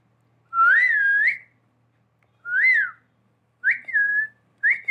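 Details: Whistling pet parrot imitating a human whistle: long, clear, rising-then-falling whistled notes, each about a second, separated by pauses. Low background hum.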